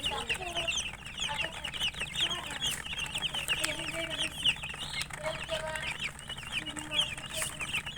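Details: A crowd of chicken chicks peeping in fast, high, overlapping chirps, with a few lower soft clucks now and then.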